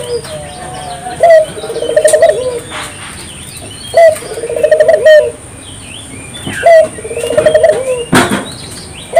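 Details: Spotted dove in lively song, used to stimulate local doves to sing; three low cooing phrases, each a rising note followed by a rapid pulsed trill, spaced about every three seconds, with faint chirps of other birds behind.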